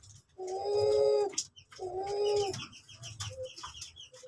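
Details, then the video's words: Crossbred Cuhu LoPel dove (Uncal Loreng barred cuckoo-dove x Puter Pelung) giving two drawn-out, low, humming coos, followed by a quieter stretch with soft chirps of other small birds. "Suara Burung Cuhu LoPel (Uncal Loreng x Puter Pelung)"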